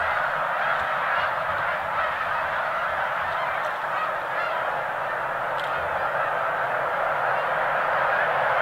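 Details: Massed snow geese rising into flight at Middle Creek in eastern Pennsylvania in March, an estimated 85,000 birds. Countless overlapping honks blend into a steady, unbroken wall of calling.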